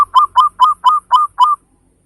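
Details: Local zebra dove, loud-voiced and valued for its beautiful beats, used to prompt other birds into song: six loud, evenly spaced cooing notes, each with a quick rising hook, about four per second, then silence.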